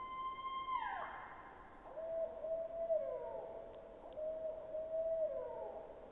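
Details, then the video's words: Barred Owl recorded in Skagit in summer gives smooth, wailing hoots, a high note dropping sharply, then long level tones sliding downward about every two seconds; a species resident in forested and urban areas. "But I just thought I'd play you a recording of a barred owl that we got from Skagit this past summer."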